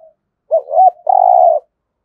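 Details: A single thúc gù phrase from a spotted dove, the style used to spur other doves into cooing: a brief low hoot, a rising second note, then a drawn-out, even, buzzy-edged coo.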